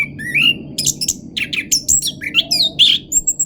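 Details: Orange-headed thrush in 'pancingan roll' song, delivering rapid, varied phrases: a rising whistled slur, then squeaky and harsh notes with high sweeping whistles, densely packed and energetic, a low steady hum underneath.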